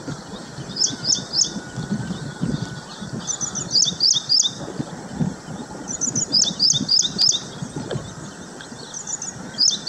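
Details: Baya weaver busy building a nest at Hoskote, Bengaluru; high, sharp chirps delivered in quick bursts of three to five, repeated every couple of seconds over steady background hiss.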